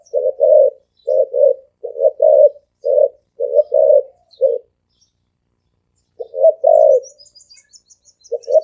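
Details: Rapid cooing of a spotted dove, 'thổ ồm vang' style. Clipped then drawn-out low coos come in quick succession, a pause of about a second and a half follows, and the cooing resumes. A faint high twitter is heard near the end.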